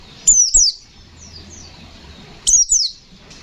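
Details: High-pitched white-eye song, ngalas nembak fighter style: two paired downslurred whistles, then fainter slurred notes, then another loud pair after a short gap.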